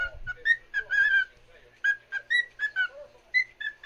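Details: Singing cockatiel performing for another cockatiel indoors: rapid chain of whistled notes, some rising and some falling, with a longer sustained whistle early and soft low chatter between phrases.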